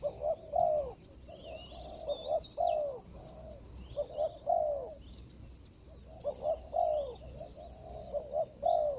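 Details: Spotted dove luring a rival wild bird on the ground, 24 January 2022: repeated hoarse coo phrases about every two seconds, with high whistled notes from other birds and a continuous insect buzz behind.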